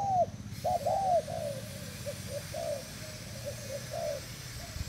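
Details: Thai decoy spotted dove, 18 June 2018: two loud arched coos open, then a fading chain of smaller, muffled coo notes, with steady low background noise.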